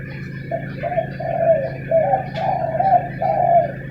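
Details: Morning quarrel between spotted doves, soft hollow coos strung together in quick uneven phrases, with a constant low droning hum underneath.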